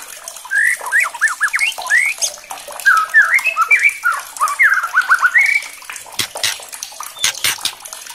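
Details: White-rumped shama singing as a challenge recording to rouse other shamas. It gives a long stream of rich, looping whistles, rising and falling in rapid phrases, over constant water-like rushing and sharp clicks near the end.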